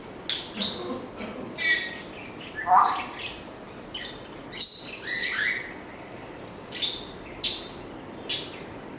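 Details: Pet African grey parrot giving a varied string of short high chirps and whistles, with a brief lower whistled note near the middle and a louder bright squeak after it, spaced about a second apart.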